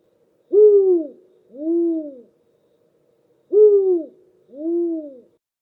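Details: Spotted Eagle-Owl, a common garden bird of South Africa's Eastern Cape, gives two deep, soft hoots, the second slightly lower, with the pair repeated after about three seconds; no other sounds.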